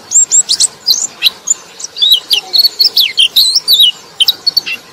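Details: Wild-luring white-eye song used to draw other white-eyes in Indonesia: rapid, high, sweet chirping notes and twittering phrases in quick bursts, steady throughout with short gaps.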